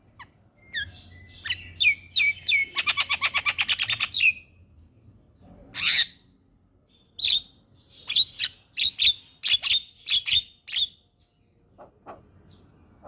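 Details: Javan myna tutor song for teaching young birds: varied whistles and chirps, then a rapid rattling series of clicks, followed by scattered sharp, high chips and squeaks repeated irregularly.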